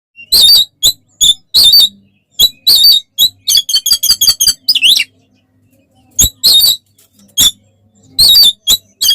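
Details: Oriental magpie-robin singing vigorously in loud fighting style, used as a lure to rouse other magpie-robins: sharp high chirps and harsh bursts in quick clusters, with a buzzy rising-falling phrase midway and brief pauses.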